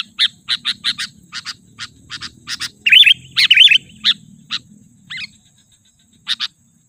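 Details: Sooty-headed bulbul lure call meant to attract and agitate wild bulbuls: short, high chirps spaced irregularly, with a brief run of warbled, wavering notes near the middle and a quiet low hum underneath.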